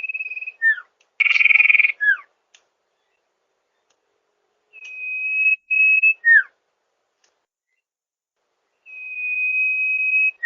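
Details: Sirtu lure recording for rice-field trapping: repeated phrases of level high whistles followed by quick downward-slurred notes, one burst of loud pulsed trilling, and long pauses between phrases; no other sounds.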